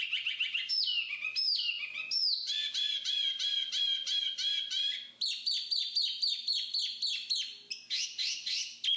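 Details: Black-capped babbler singing a busy sequence: sweeping downslurred whistles, then a rapid, evenly pulsed run of buzzy notes, and later a fast high-pitched trill of repeated chips.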